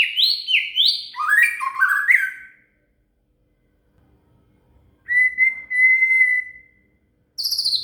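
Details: Shama (murai) song for tutoring a cililin: quick bright whistled phrases tumbling downward, a silence, then a long steady pure whistle and a final high burst.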